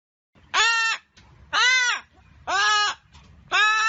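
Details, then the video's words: Hyacinth macaw giving four loud, harsh, raucous squawks, each about half a second long with a slightly arched pitch, spaced roughly one second apart, with faint low rumbling between calls. "Canto Da Arara | Arara Azul | Arara Azul Cantando"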